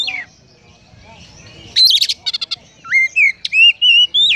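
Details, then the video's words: Kacer (Oriental magpie-robin) in konslet song with sparrow mimicry: a falling whistle, a pause, then loud buzzy chips and a string of clear, swooping whistles rising and dipping in quick succession. "Kacer Konslet Full Isian Burung Gereja | Magpie Robin Singing"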